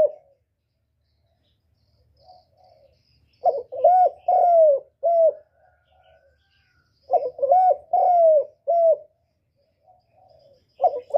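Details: Spotted dove calling with mellow, hollow coos in phrases of four or five notes, the last drawn out, repeated about every four seconds, with faint soft notes between phrases.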